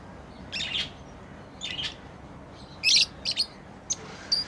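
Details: Playing pet lovebirds: a few sharp, squeaky high chirps spaced by pauses, the loudest near the middle, over a steady low background hiss.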